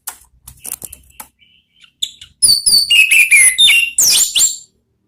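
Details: Orange-headed thrush, ngeplong song: soft scattered chirps and faint notes lead into a loud, varied sequence of clear whistles, stepping down in pitch and ending in a high buzzy flourish.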